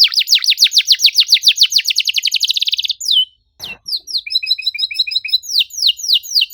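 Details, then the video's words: Canary pouring out fast downslurred whistles that speed into a trill, a short break with a click, then clipped repeated chips and more sweeping notes. "PANCINGAN KENARI MACET GACOR NEMBAK RAPAT CUIT CUIT"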